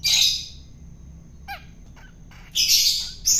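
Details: Long-tailed shrike taken from the wild and fed by hand for taming gives a loud scratchy rasp, a pause with faint chips, then two more harsh grating bursts.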